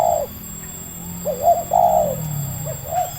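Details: Local wild spotted dove with a medium-pitched voice, lured and trapped, giving low hollow coos in short grouped phrases, with a steady background hum.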